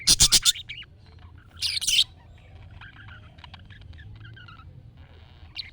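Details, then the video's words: Budgerigar chirping, played to make a pet budgie answer: a loud burst of sharp, bright chirps at the start, another harsh chatter near two seconds, then softer scattered twitters trailing off. "MUHABBET KUŞU SESİ Kuşunuz Bu sese Karşılık Verecek Kuş Sesi"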